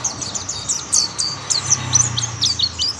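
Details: Several mountain white-eyes sing together after others join the chorus. Dense, very high twittering and sharp chirps run continuously, with a low hum underneath.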